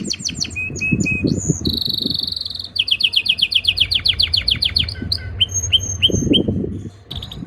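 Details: Canary singing in breeding season, trying to impress a female: fast varied phrases of rapid repeated chirps, a steady buzzy trill, then high whistled notes and sweeping upslurs, with low rumbling background noise.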